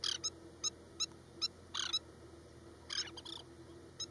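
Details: Broken-wing distraction display by an oriental pratincole at Osman Sagar, Hyderabad: sharp high ticks spaced irregularly, mixed with rough, buzzy chattering bursts, over a faint continuous hum.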